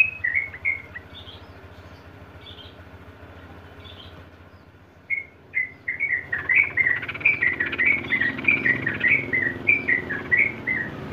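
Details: Trucukan (Sooty-headed bulbul) singing long ropel for training caged birds: a brief phrase and a few scattered notes, then from the fifth second an increasingly rapid, dense run of bright whistled notes.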